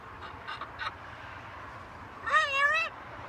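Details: Pet talking macaw on a home balcony: a few short soft notes, then one loud, drawn-out, wavering raspy call lasting about half a second.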